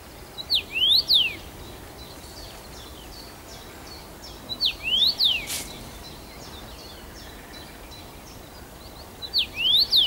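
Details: Abundantly singing first-summer male Common rosefinch, Bazel, Belgium, 7 June 2015: three repeats of a sweet whistled phrase, rising then falling, spaced about four seconds apart, with a quiet background.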